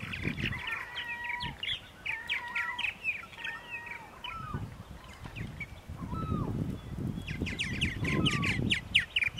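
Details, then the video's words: Purple martins calling at 8:30 AM on 14 April 2012, Center Moriches, Long Island, New York: clear whistled notes, many sliding downward, mixed with gurgling chirps from several birds, over low rumbling background noise. "Purple Martins on April 14, 2012 in Center Moriches, Long Island"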